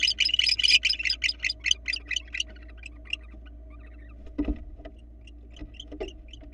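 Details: Barn owl pair on a Florida nest camera as the male arrives with a rabbit; a fast run of sharp clicking twitters that slows and fades, followed by soft rustles and knocks.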